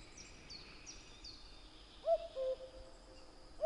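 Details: A common cuckoo (Cuculus canorus) gives its mellow, falling two-note 'cu-coo', with the next call just starting, while thin, high notes from another small bird repeat in the background.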